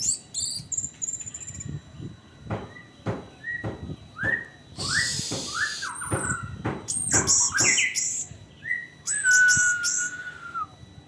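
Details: Orange-headed thrush song used as a lure for training, mixing short rising whistles, harsh buzzy bursts, high twitters and a closing long slightly falling whistle, with clicking sounds between phrases.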